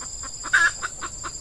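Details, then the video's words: Red junglefowl calling during hen-decoy luring in a peat scrub clearing while the wild birds are active: one sharp clucking burst, then quick echoing pulses fading over about a second, with a steady insect hum. "Ayam Hutan Pikat Betina"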